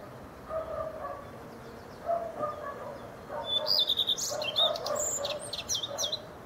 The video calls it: redstart singing